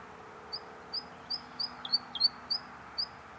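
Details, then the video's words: Bluethroat singing: about nine short, high, clear whistled notes repeated roughly three times a second, a couple of lower chirps mixed in, with faint background hum. "Голос варакушки-близкой родственницы соловья. Bluethroat is singing"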